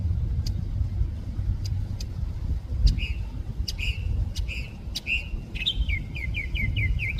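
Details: Mockingbird singing in San Diego: after a few sharp clicks, slurred whistled phrases begin, then a quick run of repeated down-slurred notes near the end, over a steady low rumble of road traffic.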